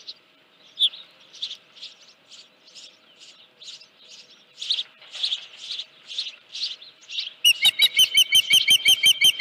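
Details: Osprey at a nest at Dunrovin Ranch on 31 July 2018, mid-morning around 9:43, with a headless fish present. A series of short, high chirps comes at an uneven pace, then a faster, louder and very regular chatter of sharp notes.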